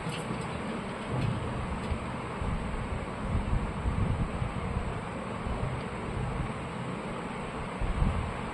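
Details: Buffeting wind and low rumble against the microphone; no animal calls.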